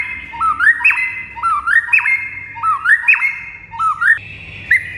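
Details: In a master recording to set birds singing, a white-rumped shama repeats a rising stepped whistle ending in a sharp upward flick about once a second, followed by a higher final phrase.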